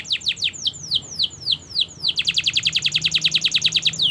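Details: Canary song used as a master recording for training young canaries to sing: a run of slow descending whistled slurs, then a fast rapid trill of repeated downward notes at high pitch.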